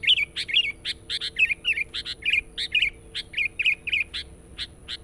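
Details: Lure recording of a sooty-headed bulbul, used to draw in wild birds: a continuous, energetic series of bright chirped and warbled notes, about three per second, with little pause and a faint constant high tone behind.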